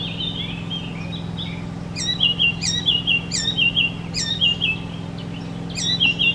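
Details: Icterine warbler, known to mimic other species' voices, repeating a short phrase about every half second: a sharp high click followed by a descending whistled slur, after an opening buzzy trill; steady low hum behind.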